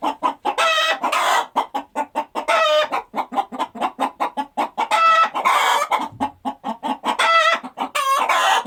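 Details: Farmyard chickens going about daily activities, clucking in dense rapid bursts, with repeated nasal, harmonic squawks scattered throughout and a brief low thump near the six-second mark.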